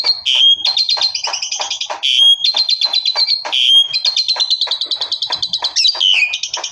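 Asian pied starling singing loudly without pause: shrill piercing whistles mixed with fast rattling bursts of repeated notes and scratchy chatter.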